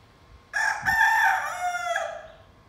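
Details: A young pet rooster gives its first crow: one loud, hoarse cock-a-doodle-doo lasting about one and a half seconds, held steady then dropping into a softer, fading tail, over quiet background.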